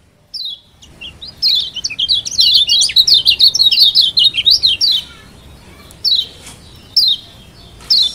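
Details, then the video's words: Kecial kuning from Lombok, the mountain white-eye, delivering a dense high chattering song of rhythmic rising and falling notes for about four seconds, followed by isolated sharp chirps about a second apart. Played to make a quiet bird sing. "Ciak Joss Kecial Kuning Ampuh Bikin Kecial Kuning Malas Bunyi Jadi GACORRR‼️"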